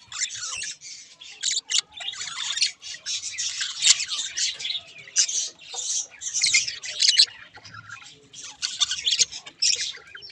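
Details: Several budgerigars, one a rare halfsider mutation, keep up a long scratchy chatter of squawks and chirps in uneven bursts, louder and softer by turns, with occasional short gaps.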